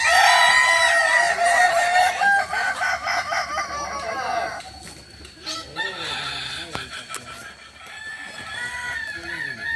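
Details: Balenggek crowing chickens in training at Ampang Kualo, Solok. Loud harmonic rooster crows fill the first four seconds with long stepped notes, then fade into quieter overlapping calls and a murmur of background voices.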